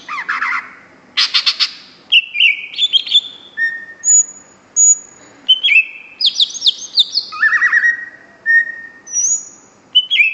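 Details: Cucak ijo, the greater green leafbird, singing a lively mix of harsh buzzy notes, high pure whistles, quick chirps and downslurred phrases, delivered in short bursts over faint background hum.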